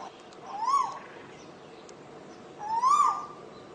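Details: Asian koel singing: two rising, whistled ko-el notes with ringing overtones, about two seconds apart, over a quiet background hiss.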